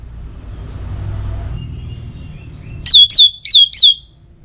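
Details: Orange-headed thrush from North Bali, sung to prompt other birds in morning and evening: four loud, identical sweeping whistled notes in quick succession after a quiet stretch.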